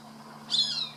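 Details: A single short, high squeal dropping in pitch from a Cooper's hawk feeding on a caught rat, recorded from a garage door, with a soft low hum beneath.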